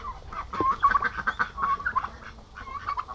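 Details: Domestic turkeys, aggressive males kept together on a farm in Paraná, Brazil: a run of short, tonal, yelping calls, about one per second and uneven, with faint background noise.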